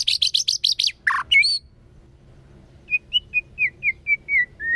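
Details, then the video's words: A white-rumped shama in forest-voice song gives a fast string of six sharp high chirps and a low note. After a pause comes a series of short, clear whistled notes, each slightly different in pitch. "chòe lửa hót giọng rừng. kéo thuốc lào kích bổi. tiếng chim chích chòe lửa hót"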